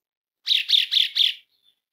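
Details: Asian pied starling call used to lure and stimulate other birds into singing: four harsh, buzzy bursts in quick succession, each about a quarter second long, followed by a faint thin whistle, clear and without background noise.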